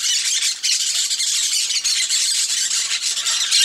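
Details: A flock of peach-fronted parakeets (Eupsittula aurea) at a feeder in Brazil: a dense, continuous chatter of harsh, high screeches and squawks overlapping without pause.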